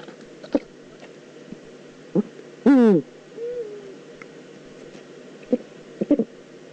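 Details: Eurasian eagle-owl in the Eifel, recorded 9 September 2014: one loud, harsh, richly harmonic call lasting about a third of a second and dropping in pitch, followed by a faint, short wavering note, with scattered clicks and low background noise.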